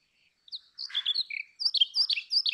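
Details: Brown rock chat, also called Indian chat, giving a brief, high, chirpy phrase. A thin note is followed by a jumble of sharp chirps and short whistled slurs. A second burst of bright, clipped notes comes at the end. The background is quiet.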